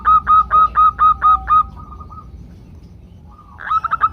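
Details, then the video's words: Group of female zebra doves calling to males, used as a prompt for singing: seven loud, regular cooing notes, a fainter trailing phrase, a pause, then another quick series begins. "ombyokan perkutut betina memanggil jantan"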